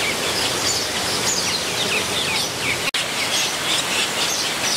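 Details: At San Diego Zoo's Scripps Aviary, captive metallic starlings busy with nesting give a stream of sharp, high, slurred chirps and brief whistled notes. A constant broadband rush continues underneath, with one abrupt dropout near the three-second mark.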